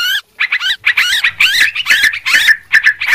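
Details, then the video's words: Sooty-headed bulbul calling for use as a bird lure: a clear opening note, then quick, rolling, squeaky phrases that rise and fall, repeated in close succession. "suara pikat burung trucuk ribut"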